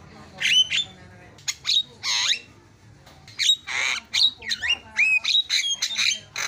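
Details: Javan myna song from a training recording meant to set other mynas calling: a varied mix of harsh rasping squawks, clear whistled upslurs and quick chattering notes in irregular bursts, with faint background hum.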